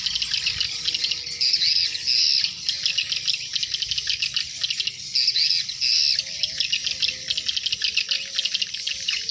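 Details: Swiftlets by the hundreds returning to the nest at dusk, a thick high-pitched chattering chorus with brief brighter squeaky whistles standing out near the start and middle, plus faint low tonal sounds late on.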